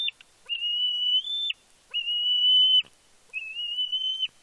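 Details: Bald eaglet on its fledge day at Big Bear, 31 May 2022, calling with excitement as the male parent brings a fish. Three drawn-out, level, high whistled squees, each lasting about a second, separated by brief pauses.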